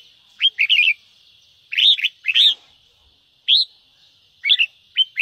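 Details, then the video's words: Red-whiskered bulbul singing to provoke other birds to sing: short clear warbled phrases of two or three notes separated by silent gaps of about a second, with a steady high hiss behind. "Tiếng kích chào mào nhanh ché"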